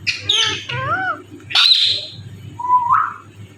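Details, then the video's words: Indian ringneck parrot, a talking pet bird; curving speech-like syllables, a loud harsh high squawk, then a short rising whistled note, over low hum. "the best talking parrot mittu"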